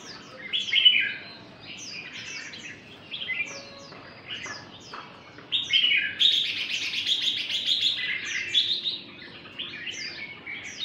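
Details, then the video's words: A red-whiskered bulbul sings a long, lively run of more than 10 different notes, bright chirps and slurred whistles strung closely together, over a faint low hum. "Chào mào ché rút hơn 10 âm"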